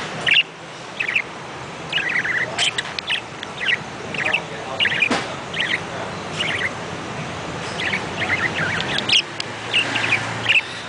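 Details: Budgerigar (Melopsittacus undulatus), chirping calls.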